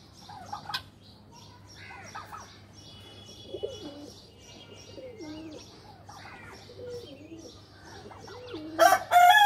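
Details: Pigeons playing in a loft: low, wavering, rolling coos repeated over several seconds, with higher chirps and whistles from other birds in the flock and a sudden burst of wing flapping at the end.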